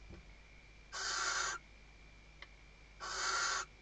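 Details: Two harsh, wheezing screeches about two seconds apart from a female Western barn owl calling the male while stuffing her nest, Riet Vell Nature Reserve, Tarragona, Spain, 2023; a brief click falls between them.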